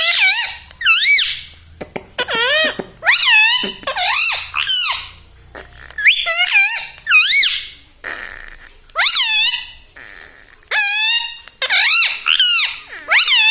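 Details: Talking pet parrot repeating mummy, papa and mithu in imitation of human speech: a long run of loud, nasal, harmonic syllables, each swooping down and up, spaced by short pauses indoors.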